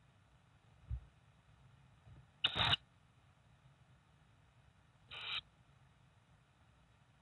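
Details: Quiet room hum broken by two short, harsh mechanical bursts like a camera shutter, and no animal call.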